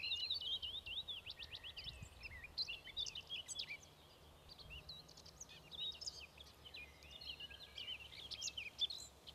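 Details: Eurasian skylark song: an unbroken, rapid stream of high twittering, trilled and warbled notes that runs through the whole stretch, briefly softer around four and seven seconds, over a faint low rumble of background noise.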